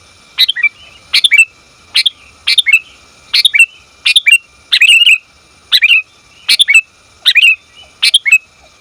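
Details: Female sooty-headed bulbul summoning the male, a recording meant as a lure: crisp chirping clusters, some doubled, repeated about once per second, each burst sliding downward at its end.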